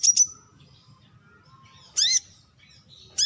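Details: Brown-throated sunbird giving two sharp, very high notes at the start, then a quiet pause before a louder descending, ringing note and a final piercing note at the end; faint low rumble underneath.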